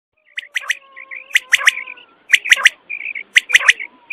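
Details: Quail call used at night to draw quail in for hunting; short groups of two or three sharp, ringing chirps repeated about once a second, with thin sustained tones beneath.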